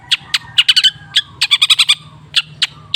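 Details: Long-tailed shrike, used as a lure-therapy sound meant to get a silent shrike singing again. Sharp, clipped high chips and rapid stacked notes come in bursts of three to six, with short pauses between them, over a faint low hum.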